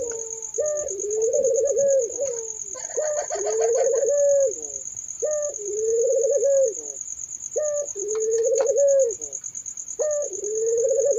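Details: Turtle doves cooing repeatedly, five rolling low coos each led by a short note, with occasional brighter chirps and a constant high insect trill.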